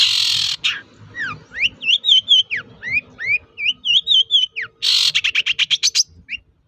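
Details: Long-tailed shrike song used as a lure to provoke other shrikes into answering: rising whistled slurs in a quick run, framed by harsh buzzy bursts at the start and a rapid rasping stutter near the end.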